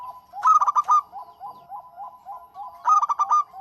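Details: Two bursts of fast, ringing staccato coos from a local zebra dove, each a tight string of about five notes, linked by evenly spaced soft lower hoots that pulse steadily between them.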